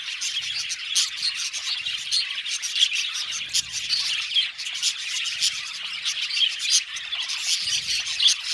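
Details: A colony of budgerigars in an aviary chatters nonstop: dense overlapping chirps, squeaks and warbled twitters, bright and high-pitched, forming an unbroken busy wash with sharp clicks and short tweets scattered throughout.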